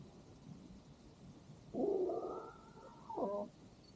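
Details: Rooster on a farm at sunset, with a farm dog eating nearby; one drawn-out harmonic crow lasting about two seconds, holding steady, then breaking into a short stacked ending, over a low background hum.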